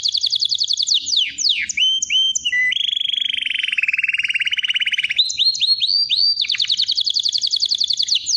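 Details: A canary sings a rapid trill and sharp falling sweeps, then a long lower rolling trill, then clipped rising notes and a bright fast trill.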